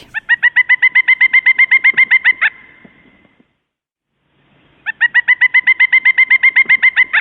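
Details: Pileated Woodpecker, a non-migratory North American species, giving its loud, ringing song: a series of about twenty quick, even notes, roughly eight per second, then a pause and a second series.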